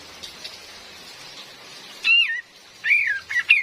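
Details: Female cream-vented bulbul used as a lure: steady hiss, possibly rain, then a wavering slurred whistle and a short cluster of bright notes.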